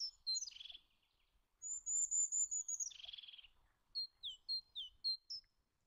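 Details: Two rasping, hoarse screeches from a Eurasian jay, one short and one longer, interleaved with a drawn-out high whistle and a run of quick, thin chirps from a smaller bird.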